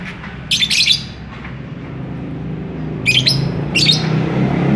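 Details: Lovebird courting and eager to mate, giving two pairs of harsh, high chirping bursts about two and a half seconds apart, over a steady low hum.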